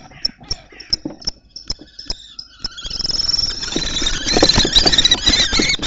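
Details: Common kestrels at a nest box in Théding on 20 March 2024: an older adult male fights a young male in juvenile plumage for the box, with a female present. Sharp taps and clicks are followed by continuous shrill, harsh squealing over scuffling.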